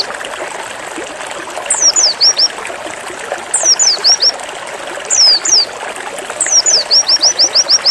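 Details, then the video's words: Pleci white-eye in zipper style giving short phrases of high, falling slurred whistles, four bursts spaced about 1.5 seconds apart, the last stretching into a quick series of chips, over steady hiss. "BURUNG PLECI ZIPPER GACOR FULL NEMBAK PEDAS"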